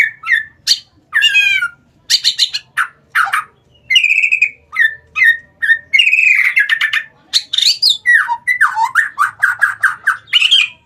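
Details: White-rumped shama, male, singing as a lure to stir quiet shamas into song: a rich, fast run of varied whistles, sharp chips and buzzy trills, nearly continuous with brief pauses.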